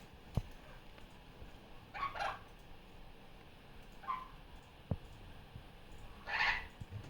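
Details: Caged female superb parrot playing on a Sunday morning after coming off her nest. Scattered raspy squawks of varying strength come roughly every two seconds, with a few sharp knocks and clicks between them indoors.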